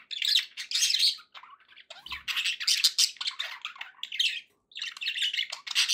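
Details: Cheerful pet budgerigars chattering almost nonstop, loud buzzy warbles and squawks in long overlapping phrases with one short pause.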